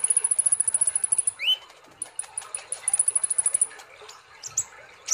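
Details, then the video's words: Olive-backed sunbird singing gacor nembak style, opening with a very high, fast pulsing trill, a single rising slurred note, then more bursts of piercing high rapid trills separated by short pauses. "Terapi kolibri Ninja ( konin ) Gacor Ngobra Nembak"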